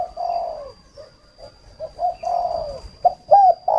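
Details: Spotted dove used as a decoy bird for luring, from northern Vietnam: soft, low cooing phrases, a few drawn-out coos with shorter notes between them, ending in brief rising coos.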